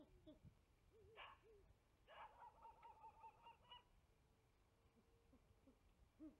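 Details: Female great horned owl at a tree nest at 5 pm, flying onto a nest-tree branch, male in background and possibly a second female far off; a brief raspy burst, then a longer pulsed, chattering squawk over faint low wavering tones.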